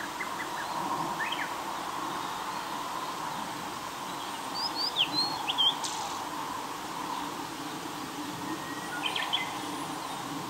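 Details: Close-range blue-and-white flycatcher singing under its breath with food in its bill, captured on an Olympus PEN mini E-PM2: faint chips at first, then a short cluster of high whistled slurs midway and a brief note near the end, over constant hiss.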